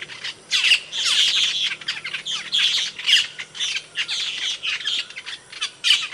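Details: Asian glossy starling, a songbird of Indonesia known for loud, sharp calls: harsh, squawky bursts clustered high in pitch, repeated in uneven groups about every half second, with brief gaps between outbursts.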